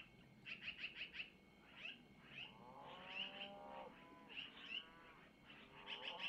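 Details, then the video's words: Begging Long-eared owl owlets on a nest cam near dawn, 05:05 Missoula time, 25 April 2024, as the mother passes them food from the male: quick series of sharp high squeaks, with lower, longer harmonic wavering notes in between. "Mom takes from Mr to Feed Little Owlets -Long Eared Owl"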